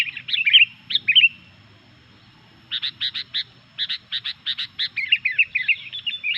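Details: Vigorous song of a Sooty-headed bulbul, said to anger other bulbuls: a few slurred phrases, a silent gap, then series of sharp, regularly spaced chirps followed by a warbled, descending flourish.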